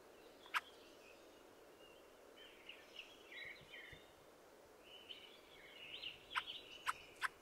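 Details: Fieldfare song: faint, squeaky, scratchy warbling phrases mid-clip, with sharp harsh clicks near the start and a quick cluster of them toward the end over steady background hiss.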